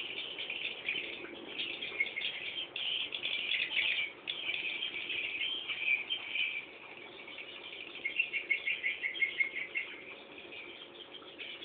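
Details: Swiftlet nestlings waiting for a parent give a dense, scratchy chorus of high chirps, dropping quieter midway, then resuming with a clearer pulsing series of short chirps near the end.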